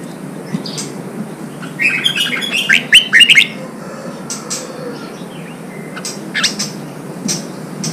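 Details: Red-whiskered bulbul singing for contest training and to excite newly caught birds: a lively burst of chattering, whistled notes in the early middle, followed by sparse, fainter chirps over a quiet background.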